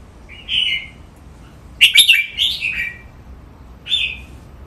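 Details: Red-whiskered bulbul kept in a cage, singing during training: a short whistled phrase, a loud rich warbled burst, then one more brief clear whistle.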